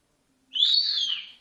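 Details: A talking Senegal parrot gives one clear whistled note, about a second long, that swells and then slowly falls away.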